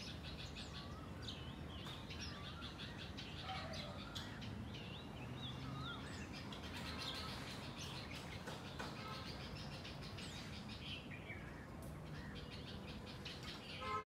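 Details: House sparrows, a flock in a garden. Dense, overlapping chirps and short, twisting whistled notes keep up throughout, with a continuous low rumble underneath.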